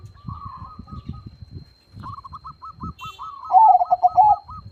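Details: Low thumping noises come first, along with faint higher dove cooing in repeated short notes. At the end, a loud rolling phrase of pulsed coos from a 'crossing' zebra dove (perkutut) singing with a big voice.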